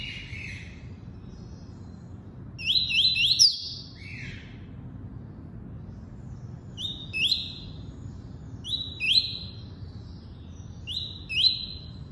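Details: Double-collared seedeater delivering tuí-tuí song: a lower buzzy opening phrase, a tight run of rising whistles, then four evenly spaced two-part phrases of upslurred notes into flat whistles.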